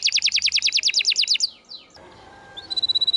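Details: Canary singing vigorously in a masteran recording for birds that stopped singing: a run of about a dozen rapid doubled chirps, a few faint sliding notes, a short quiet gap, then a thin high steady trill.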